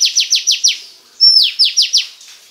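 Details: Female Oriental magpie-robin voice used to stimulate a male: a row of five fast, bright downslurred notes, a brief gap, then a high sliding whistle followed by four more ringing descending notes.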